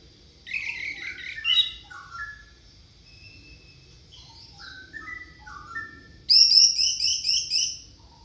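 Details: Orange-headed thrush song meant to coax silent birds into singing: varied whistled and slurred phrases at moderate volume, ending in a sudden loud, high, rapidly repeated trill.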